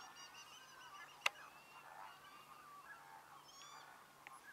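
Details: A flock of American flamingos (Phoenicopterus ruber) at the Lagunska ribogojnica nature reserve, Slovenia, on 4 January 2024, gabbles with overlapping nasal, goose-like honks, plus one sharp click near the start.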